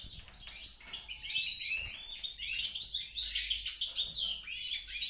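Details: A mule bred from European and grey-crowned goldfinches sings softly at first, then builds into a louder sweeping, twittering warble with slurred whistles and buzzy trills.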